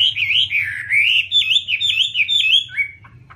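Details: Chinese hwamei singing: a loud, continuous whistled warble winding up and down, with quick looping notes, fading into a few soft chips at the end over a low hum.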